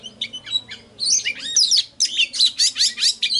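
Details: Oriental magpie-robin song meant to trigger singing and call in wild birds: a few soft notes, then energetic, harsh, chattering phrases repeated in quick succession.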